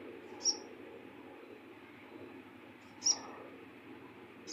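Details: Bar-winged prinia producing sharp, high, clipped single notes spaced a few seconds apart, with steady low hum behind.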